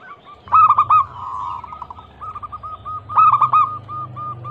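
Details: Zebra dove, a local bird used as a lure to get other doves singing: two loud bursts of stuttered notes, each trailing into a steady run of short, even, rapid coos, with faint low hum beneath.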